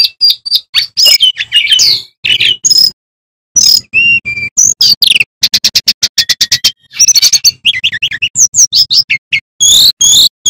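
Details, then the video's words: A male Bamboo flycatcher (sikatan bambu) sings loudly through its full repertoire: a fast, varied medley of high chirps, slurred whistles and rapid trills in short bursts with brief pauses. The song is used as master song for young magpie-robins. "Sikatan Bambu Gacor Bongkar Isian"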